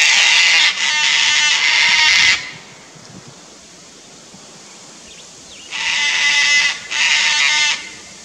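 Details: A pair of Sulphur-crested Cockatoos on Queensland's Fraser Coast, Australia, upset at a Lace Monitor in a tree near their nest tree: two harsh, raspy screeches, a quiet pause of about three seconds, then two more grating screeches.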